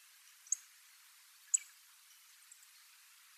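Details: Single migrant little bunting on a school field on Tobishima, Japan; thin, very high clicking calls at roughly one-second intervals, three clear ticks with a faint one between, otherwise near silence.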